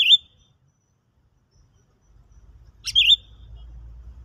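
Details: Sooty-headed bulbul serving as a lure for bird trapping, tried after a stimulant: two bright dipping whistles about three seconds apart, each led by a sharp click, the second over a low rumbling background.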